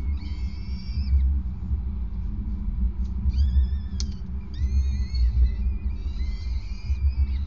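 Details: Male peregrine falcon handing over prey on a nest grating, 5 May 2019, 20:54; long, strained whining calls in bursts lasting about a second each, separated by pauses, all against a constant deep rumbling hum.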